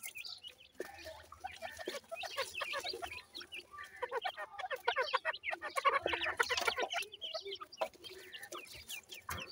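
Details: Young grey francolins in a breeding group, their dense high-pitched twittering peeps running several per second, rising to a loud busy cluster midway before thinning, with soft clucks and low background hum.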